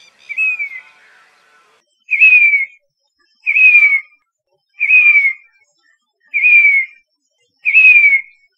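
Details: Grey-bellied cuckoo, also called Indian plaintive cuckoo, in Rajasthan: a high, plaintive whistled call dropping in pitch, a short 'piteeer' repeated six times at roughly one-and-a-half-second intervals, clean with no other sounds.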